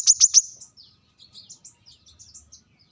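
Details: Three loud, piercing notes from a brown-throated sunbird calling out rivals, followed by a soft, scratchy high twittering that fades away.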